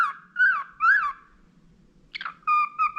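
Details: Budgerigar, tame and clever, noted for whistling, gives wavering whistled notes, a short harsh burst, then steady clear tones alternating slightly in pitch.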